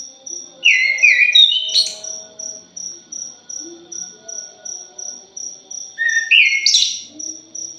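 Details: Thrush (punglor, anis) used as a lure: two rich whistled phrases sliding and warbling, separated by several seconds of a regular high ticking pulse that runs throughout.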